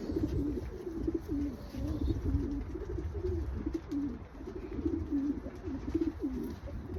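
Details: Pigeons of a breeding pair giving steady, low, throbbing coos, short pulsing notes repeated almost without a break for seven seconds, over a low rumbling background.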